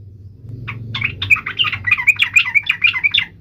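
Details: Sooty-headed bulbul giving a fast series of sharp, bouncing chirps that grow louder, above a low droning hum, used to trigger singing in other trucuk birds.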